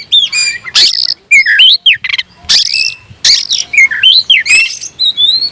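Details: Oriental magpie-robin (kacer) in a cage, singing to challenge a rival: loud whistled slurs alternating with harsh, buzzy bursts, phrases coming about every second.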